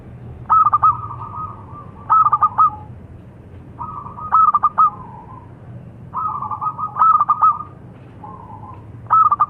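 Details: Zebra dove of the local perkutut type repeating bursts of sharp stuttered notes, each followed by a level or falling soft coo, five phrases in under ten seconds.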